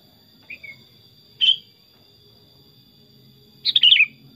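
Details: Pet Sooty-headed bulbul, tame and vocal: two short isolated chirps about a second apart, then a longer bubbling phrase of quick descending notes, over a steady high-pitched electrical whine.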